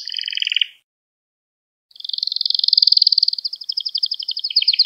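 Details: Canary training song for young birds: a brief buzzy trill, about a second of silence, then a long, swelling, high rolling trill that speeds into rapid pulsed notes.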